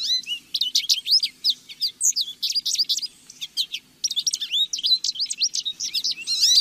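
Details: Lively lesser goldfinch song of quick rising chips and jumbled high twitters, delivered in dense bursts over a faint low hum.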